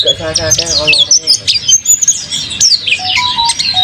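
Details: Caged mountain white-eye (pleci monty), described as singing actively, gives rapid high twittering and sliding chirps in busy bursts, with a human voice briefly at the start and faint low background sounds.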